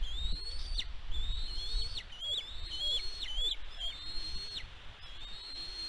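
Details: A bald eagle calls on the West End nest, Catalina Island, California, USA, on 16 May 2022. Shrill whistled notes climb, wobble and then drop steeply, repeated in quick succession, mixed with short chirps, over low wind.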